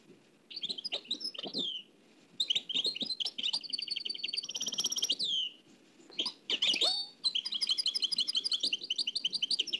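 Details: Oued El Alleug style nightingale song taken from an old cassette tape, with fast repeated staccato notes, buzzy rattles and sweeping whistles in phrases of two to three seconds, broken by brief pauses.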